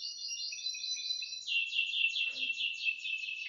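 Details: One of two canaries during Thursday morning song training, 18 December 2025: a loud, unbroken high trill of fast repeated buzzy notes, shifting to a slightly lower, stronger rolling tour halfway through.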